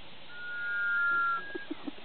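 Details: In the Pantanal, Brazil, a Sunbittern gives one long, pure, level whistle of about a second, followed by three soft low knocks; it is calling to another Sunbittern while two others display at the river's edge.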